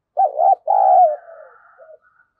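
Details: Spotted dove call used to lure wild doves: a wavering coo then a long falling coo that fades into soft lower notes, with a faint high thin tone behind.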